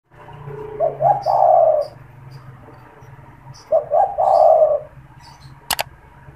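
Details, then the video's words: Caged spotted dove that calls often, especially when people are near its cage, recorded for luring and stimulating wild doves: two soft three-part coos, short notes rising into a long rolling hum, about three seconds apart, then a sharp click. "SUARA PANGGILAN DAN PANCINGAN TEKUKUR TERBARU | TEKUKUR GACOR BAGUS BUAT PIKAT"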